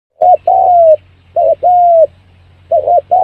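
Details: Spotted dove call used as a lure to draw birds in quickly: three phrases, each a short doubled coo followed by a long, smooth, slightly falling coo, with a steady low hum underneath.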